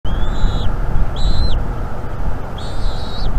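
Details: Young bald eagle on a North East Florida nest, chirping for food on the morning of 17 March 2021: three high, thin, slightly wavering chirps, each about half a second long, over steady wind rumble.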